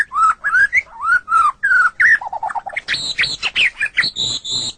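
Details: White-rumped shama (murai batu) song for training pet songbirds: smooth clear whistles, a quick low stuttering series, then high squeaky chattering notes.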